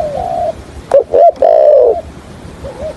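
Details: Decoy spotted dove used for trapping, cooing in the stammering 'gù cà lăm' style of the 'thổ hạp bổi' voice: a faint flat coo, then a few clipped throaty notes and a longer wavering coo over background hiss.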